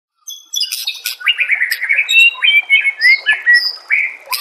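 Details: White-rumped shama master song used for training other birds: a loud, varied run of clear whistled phrases around mid-high pitch, with bright slurred notes and quick chirps following each other without pause.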